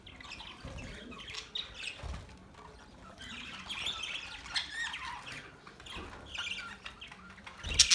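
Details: Several budgies chirp and warble in scattered high bursts, soft stretches between them, with a few light knocks and a sharp squeak at the end.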